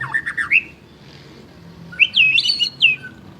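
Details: White-rumped shama song with a swooping warbled phrase, a quiet pause, then a bright high series of whistled and buzzy notes.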